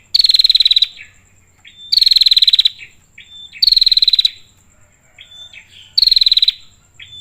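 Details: Calling female prinia, aimed at the male: four strident, fast-pulsed buzzing trills spaced about two seconds apart, interspersed with brief slurred whistles, a faint constant high tone underneath.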